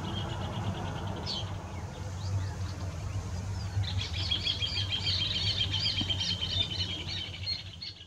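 Rufous hornero giving a loud, fast, high chattering trill of rapid repeated notes lasting a few seconds, over a steady low rumble of background noise.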